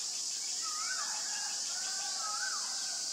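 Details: White-vented myna calling in Ubon Ratchathani, Thailand, 25 March 2022: two drawn-out, nasal, bending notes in quick succession, over a persistent high-pitched buzz of insects.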